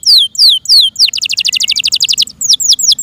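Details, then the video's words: Pet Yorkshire canary singing: three loud down-slurred whistles, then a quick buzzy roll of short high notes, ending in a run of sharp arched whistles. "THE BEAUTIFUL SOUND OF FI YORKSHIRE CANARIES"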